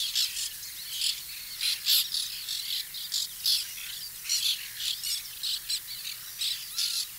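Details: White-winged terns at a nesting colony late in the 2021 season: loud, rasping calls repeated in quick bursts, several per second at times, over a constant murmur of more distant calling.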